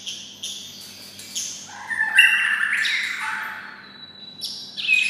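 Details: White-rumped shama kept beside red-whiskered bulbuls, singing like one: a few high notes, then a louder rich, slightly harsh warbling phrase, fading before a final bright chirp.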